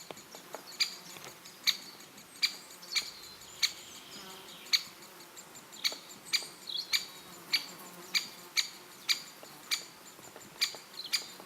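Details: A great spotted woodpecker in Elatia Forest, Greece, gives sharp, high 'kik' notes, about eighteen in eleven seconds, spaced half a second to a second apart, over a faint hiss.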